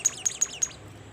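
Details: Bimoli bird singing vigorously, giving four crisp, very high chirps in quick succession, each note sliding downward, then quiet.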